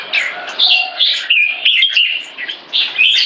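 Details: A young captive red-whiskered bulbul with early cheek spotting, in an aggressive C-shaped posture, gives quick liquid whistled notes. Each short phrase rises and falls, and the phrases come in rapid succession.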